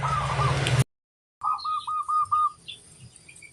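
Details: Local zebra dove of crossbred stock giving a quick run of five rolling coo notes after a cut from a noisy passage. Faint chirps from other birds are heard above.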